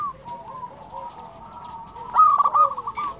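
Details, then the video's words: Frequently singing local zebra dove, kept as a lure to provoke other doves: soft wavering coos, then a loud rattling burst at two seconds followed by quick rolling trilled notes. "SUARA perkutut lokal gacor"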